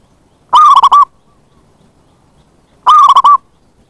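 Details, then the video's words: Zebra dove lure call used to attract wild doves: two loud, rolling cooing bursts, each about half a second of rapid stuttered notes, separated by a couple of seconds of quiet. "Pancingan bunyi + pemanggil perkutut liar"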